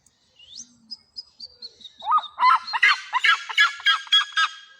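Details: A captive male Red-legged Seriema at Bridlington Animal Park, Yorkshire, throws back his head for his alarm call after a keeper's short whistle: a quick run of thin descending notes, then loud, harsh yelping shrieks about three per second.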